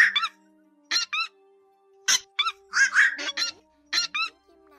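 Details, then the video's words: Black-crowned night heron giving harsh, croaking 'quok' calls, often in quick pairs, about one per second, over a faint steady hum; a flock-calling lure recording for night netting of migrating herons, August 2024. "Tiếng Vạc Gọi Bầy Kêu Cắn Toát Ra 2 Vế"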